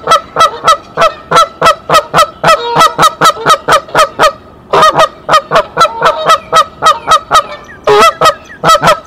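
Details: Mother goose on her nest at Decorah on 27 March 2023 sounds the alarm, summoning the male, who then comes to the nest. Loud harsh honks in fast succession, about four per second, with brief breaks near the middle and end.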